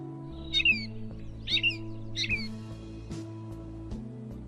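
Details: Mimicking catbird gives three quick chirpy whistled phrases in a row, then quieter clicks, backed by a continuous music bed.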